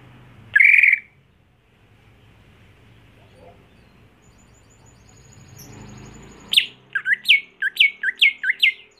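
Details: Greater green leafbird kept at home for contests: one loud buzzy note, a long hushed gap with low hum, then an energetic series of about nine sharp chirping notes tumbling up and down in rapid rhythm.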